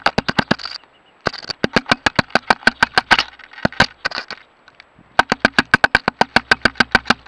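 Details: A male woodpecker, either a Gila or a Ladder-backed Woodpecker, pecks at and damages a trail camera. It hammers the hard plastic with sharp, hollow knocks, about eight a second, in bursts broken by brief pauses.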